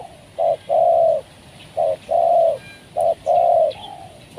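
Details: Spotted dove used as a lure to bring down wild doves, giving a repeated low cooing phrase of a short coo followed by a longer, drawn-out coo, with faint background hiss.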